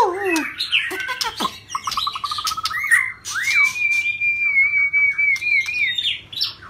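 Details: Shrimp-tail white-rumped shama song in rít thuốc lào style: descending slurs and a quick pulsed trill, then a clear level whistle sustained nearly three seconds, closing with soft scattered notes over a low hum.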